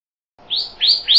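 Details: Pyrrhuloxia giving three rising slurred whistles that climb and flatten out high, spaced about a quarter second apart, clear over a quiet background.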